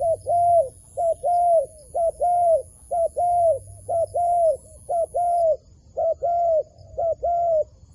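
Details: A wild dove being drawn into a trap repeats a two-part coo about once a second: a short clipped note, then a longer rounded hoot with a slight downward tail. The phrase repeats steadily with clear pauses over a quiet background.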